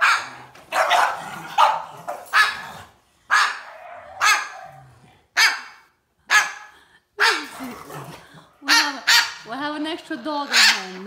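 A cockatoo gives harsh, dog-like barks in quick bursts, with people talking nearby.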